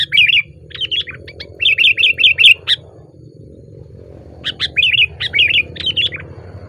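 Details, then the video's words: Sooty-headed bulbul singing loudly from a branch, giving clusters of quick liquid notes separated by a pause of about two seconds, over faint low rumble. "SUARA BURUNG KUTILANG GACOR KERAS KETIKA DIATAS RANTING"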